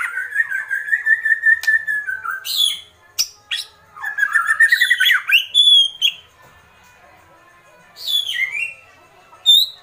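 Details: White-rumped shama in agitated kretekan: a long stuttering whistled trill, harsh high bursts, then rapid descending whistles and a lone sharp high note after a pause.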